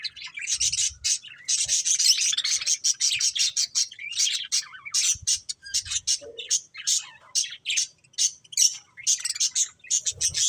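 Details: Pet budgerigars warbling and chirping nonstop, a bright scratchy chatter of quick high notes and rasping trills, rising and falling in short bursts throughout.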